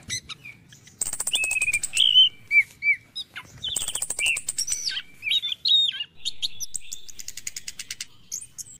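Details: Orange-headed thrush song at morning, played to get caged birds singing. Loud rapid rattling bursts are interleaved with clear whistled phrases and rising and falling slurs, with a short pause before the final rattle.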